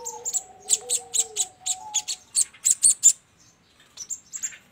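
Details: Sogon trapping lure: a series of high, sharp chips about four per second, with faint lower sliding tones at the start, then a few softer chips.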